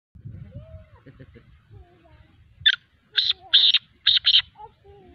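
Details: Partridge calling: after a quiet, low rumbling start, a loud harsh series bursts out, a short opening note followed by three grating, broad notes, the last ones doubled, within about two seconds.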